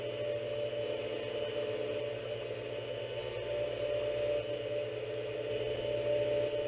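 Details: Steady electronic hum and broadband static with a constant low drone, and no animal calls.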